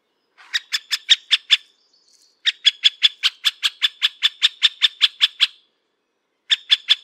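Middle spotted woodpecker giving bursts of harsh, nasal notes, about five per second, in three runs separated by brief pauses.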